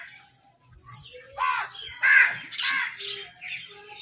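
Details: Crows eating and fighting over food give harsh, hoarse caws. Three loud, broad cries come in quick succession around the middle, followed by softer calls, with faint low background noise underneath.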